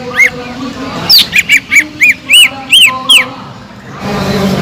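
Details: Greater green leafbird (cucak ijo) singing in full gacor form, used as a lure song to stir up sluggish leafbirds. A brief soft note, then a run of bright arched chirps repeated quickly. Ends in a low hum.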